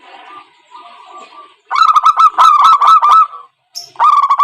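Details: Trapping lure call of a zebra dove: a soft, faint murmur, then a loud burst of fast repeated clipped coos on one pitch, a brief silence and another rolling phrase.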